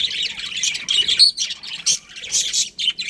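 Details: Several budgerigars of a colony give quick high chirps and squawky bursts, with a few short pauses between clusters of notes.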